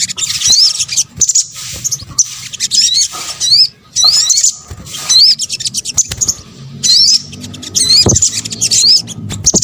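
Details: Sunbird (sogok ontong) calls used as a lure: clusters of sharp, high upswept whistles and chatter in bursts separated by brief pauses, with faint rustling below.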